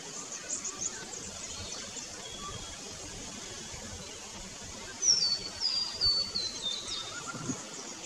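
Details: A scarlet honeyeater in an Australian backyard during its breeding season gives a high, tinkling descending run of thin notes near the end, over steady high-pitched background hiss.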